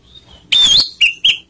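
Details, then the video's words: Orange-headed thrush lure song meant to provoke rivals: a faint thin whistle, then a loud rich burst of high whistled notes followed by two short sharp chirps. "pancingan anis merah bikin emosi lawan"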